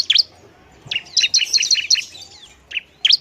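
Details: Bar-winged prinia provoking song: a sharp opening note, then a quick run of high, bright chirps, a pause, and another squeaky burst at the end.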